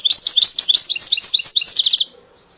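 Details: European goldfinch song, a bird trained on a hybrid's song: a rapid two-second stream of high, tinkling, twittering notes ending in a quick burst of repeated chips, then silence.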